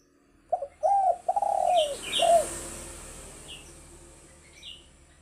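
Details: Spotted dove (tekukur) lure call: a short burst of low, mellow coos, several quick notes rising then sliding down, followed by fading hiss and faint high chirps from small birds.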